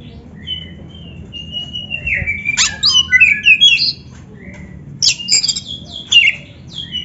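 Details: Kacer (magpie-robin) singing for use as a training recording for a caged bird: long drawn whistles, then a quick cluster of rising and falling notes and scattered sharp chirps, with quiet gaps between phrases.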